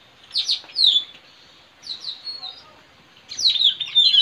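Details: Wild white-rumped shama recorded in forest while being trapped: three bursts of high descending whistles and quick slurred notes, spaced about a second apart.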